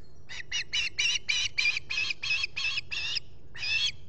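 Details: Agitated osprey calls from a nesting pair's platform in the Finger Lakes region of the US on 23 July 2021, with a visitor at the nest. Rapid squealing chirps repeat about three times a second, with a brief pause before a final note.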